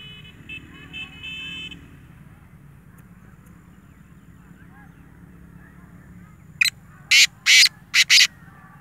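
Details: Black francolin giving a loud harsh phrase of about five rasping notes near the end, preceded by a faint tonal sound and quiet outdoor background.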